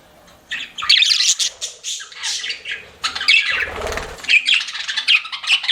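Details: Pet budgerigars flirting, with dense, overlapping squawky chatter and chirps that run almost without a break, along with some low thumping noises partway through.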